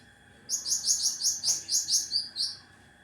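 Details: Cucak ranting singing a fierce, rapid volley of about ten high-pitched, clipped notes in an even rhythm, the final notes slightly lower and thinner, with a quiet steady hum underneath.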